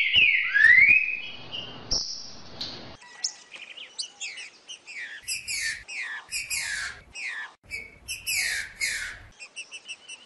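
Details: Green-winged saltator song meant to stimulate a caged bird to sing: strong whistled notes sliding downward then rising, followed by quick bursts of high, sharp chirps and twitters.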